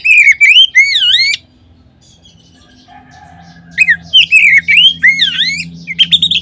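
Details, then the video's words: Oriental magpie-robin lure song meant to make other magpie-robins sing: quick, ringing whistled phrases with swooping notes, two quiet seconds with a faint soft murmur, then renewed bright, varied whistling. "Kacer manapun seketika terangsang berbunyi dengan pancingan ini."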